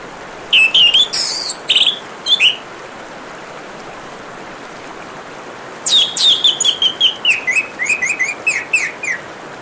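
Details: Orange-headed thrush singing beside running water: a few loud, varied whistled notes, a pause of several seconds, then a quick run of about a dozen sharp, slightly descending notes over a constant watery hiss.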